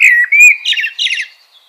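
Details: Common blackbird giving a brief flute-like whistled phrase that breaks into a rapid, scratchy high twitter at its end.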